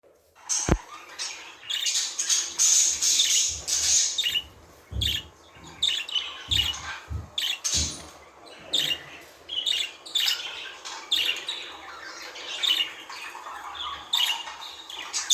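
Budgerigars chirp and warble in a busy stream of high, scratchy notes and squawks.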